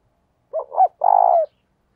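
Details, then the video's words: A single phrase from a decoy spotted dove in thúc bổi style: two short wavering low notes, a brief pause, then one loud sustained, slightly vibrating coo that falls off at the end. "Chim Cu Mồi thúc bổi rất sung"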